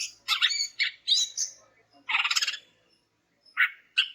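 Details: Female greater green leafbird calling to a male to make silent males sing: jumbled chirps and whistles, a buzzy rattling trill, then two short sharp notes after a pause, fairly soft.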